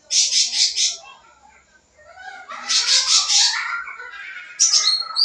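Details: Sooty-headed bulbul singing in full-isian style to lure young birds: two bouts of fast pulsed buzzy notes separated by a quiet gap, ending in high thin whistles.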